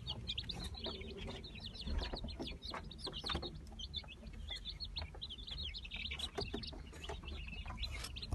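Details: Brahma chicks from the 2018 season, a dense group giving high, sharp peeps in an unbroken overlapping chorus, with a strong low hum running underneath.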